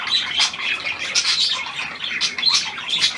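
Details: Hand-tame Australian pied budgerigar recorded 17 February 2023: rapid rasping chatter rising and falling in short bursts, mixed with high squeaks.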